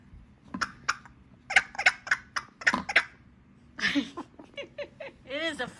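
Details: A pet female blue-and-gold macaw, playing with toys behind a chair, fake-coughs in a run of harsh, cough-like bursts, about eight in two seconds, then gives squeaky, wavering notes that rise and fall.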